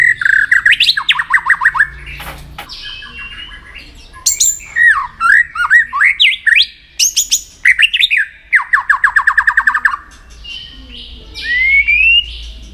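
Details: White-rumped shama practising song for contests: rich run of whistles, rapid descending trilled series, looping slurred notes and a final rising whistle, with brief clicking noises between phrases.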